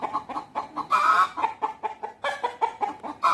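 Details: Rooster and hens communicating among themselves at a natural history museum, with white peafowl also present: a run of short clucks repeated about every quarter second, broken by two louder, harsher squawking bursts.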